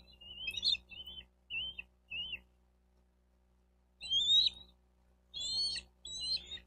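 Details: Bald eagle at its nest in Miami-Dade County, Florida, on 4 June 2023 at about 12:35, uttering high, wavering squeals. Four quick piping notes are followed by a silent gap, then a few longer, slurred chittering calls.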